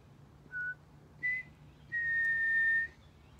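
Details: Pied butcherbird answering a person's phrases at Griffith Pioneer Park Museum, World Listening Day 2023: three pure whistles, a short low note, a brighter higher one, then a long steady held tone, over quiet background.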